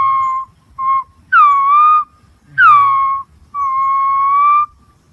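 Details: Green pigeon call made of five pure whistles, two short and level, two that start high and slide down into a held note, and a final long whistle that rises gently.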